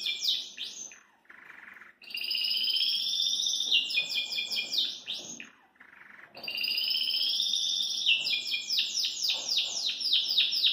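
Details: Belgian canary, a caged bird singing cheerfully: two long bouts of high, rich warbling, each with a steady ringing trill that turns into rapid downward-sweeping notes, separated by a short quiet pause.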